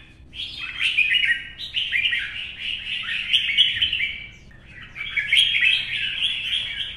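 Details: Morning duel song of an old wild-caught red-whiskered bulbul in a cage, Vietnam: loud liquid whistled phrases strung together, a short dip in volume midway, then renewed bright warbling.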